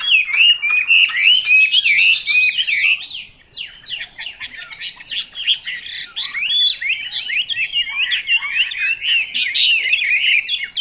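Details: Chinese hwamei, an untrained bird, pours out loud varied whistles: fluid rising and falling slurs at first, then after a brief dip a rapid chattering run of sharp, tightly packed notes.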